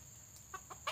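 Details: Likely a male white-legged red junglefowl used as a decoy in a lure-training simulation, giving three short, clipped clucks in under a second, each louder than the last, over a steady high-pitched hiss.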